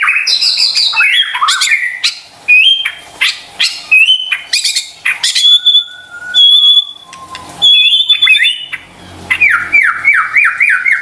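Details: White-rumped shama song played to spur stressed, silent shamas into singing: crisp upslurred whistles and clicks, a few sustained high notes, ending in a rapid series of falling whistled phrases.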